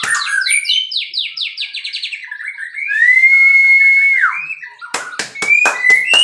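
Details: White-rumped shama from captive breeding, singing: a quick run of descending whistled notes, then one long, steady, pure whistle, followed by sharp clicking strokes and a short rising whistle.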